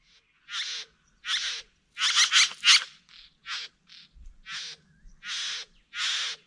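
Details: Satin bowerbird performing its courtship dance at the Wombeyan Caves reserve, giving about nine harsh, buzzy, rasping bursts, several packed close together in the middle, each broad and noisy; quiet natural background.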